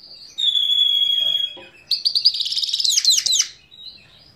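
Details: Himalayan goldfinch singing at Parachinar, Pakistan, 2022: a long, steady, pure whistled note, then a quick rush of high, twittering and buzzy notes that ends in a few sharp, rising-falling chirps before fading to a soft whistle.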